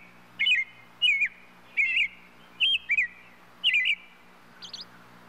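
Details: Short looping whistled figures from a European robin, repeated about once a second, six phrases in a row, ending with a thin high note, over a soft constant background hum.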